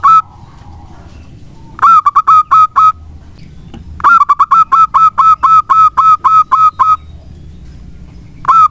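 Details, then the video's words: Used as a lure to get other doves singing, a local zebra dove delivers a short burst of coo notes, then a longer run of a dozen clear, rhythmic notes, and begins another phrase. "Perkutut lokal gacor untuk pancingan sangat bagus."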